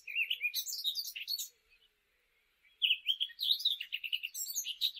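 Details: Eurasian blackcap from the UK singing its fluting song: a rich, fast warble of mixed notes and scratchier high elements in two bursts separated by a pause of over a second.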